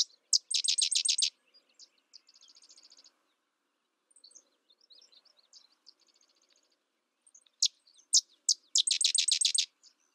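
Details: Sedge wren singing: loud bursts of rapid, dry staccato chattering notes repeated in fast trills, separated by softer, thinner chip series and pauses; no other sounds stand out.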